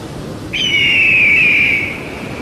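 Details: One long eagle call lasting well over a second, a clear high whistle that starts abruptly and slowly drifts downward, steady and unbroken against faint background hiss.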